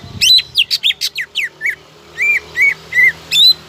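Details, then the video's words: Quick series of sharp descending whistles from a greater green leafbird, used to tempt rivals into song, followed by slower, drawn-out arched whistles repeated roughly every third of a second. "PANCINGAN CUCAK IJO GACOR AMPUH MEMANCING LAWAN AGAR BONGKAR MATERI"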